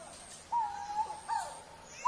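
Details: Coral-billed ground cuckoo (Carpococcyx renauldi) call: low, mellow, drawn-out hoots, three notes about three-quarters of a second apart, the last rising slightly.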